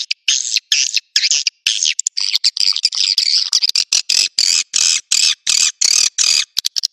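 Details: Swiftlet lure sound called Naga Merah, for drawing birds to nesting places: high buzzy twittering bursts, repeated in an even pulse of short phrases separated by brief silences.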